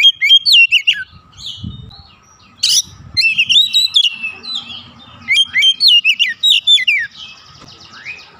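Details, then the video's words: Oriental magpie-robin in an agitated mood showing its fill-in song: quick chains of loud, zigzagging whistles, with a brief harsh sound and softer notes in the gaps. "Kacer emosi bongkar isian"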